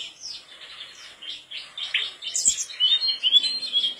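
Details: Rambling, somewhat muffled song of a mangrove blue flycatcher, soft warbled notes building into clearer high whistled phrases repeated about twice a second, with a single click midway.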